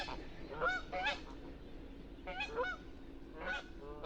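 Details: Wild Canada goose honking: paired and single nasal, rising-falling honks in quick bursts, about five calls within four seconds, against a steady low hum.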